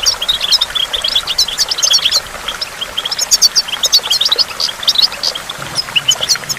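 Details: Bright, fast twittering song of a goldfinch by a waterfall, with clusters of sharp high notes and short trills run together, dipping briefly softer after two seconds, with a faint watery rush beneath.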